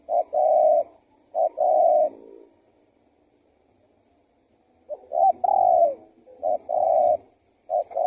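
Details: Calling spotted dove (tekukur), male, used to lure wild birds: soft coo phrases of short lead-in notes followed by a long, even hoot, given twice with a silent gap between.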